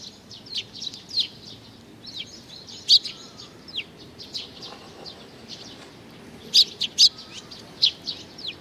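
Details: Sparrows coming to be fed, 15 May 2019: steady chatter of short chirps from several birds, with a handful of loud, piercing notes around three seconds and near the end.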